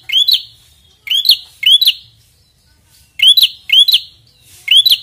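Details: Prinia, described as red-headed, singing loudly and persistently against a rival, a recording meant for luring birds: sharp upslurred chirps with buzzy high edges, given in quick pairs or singly about every second, over a quiet background.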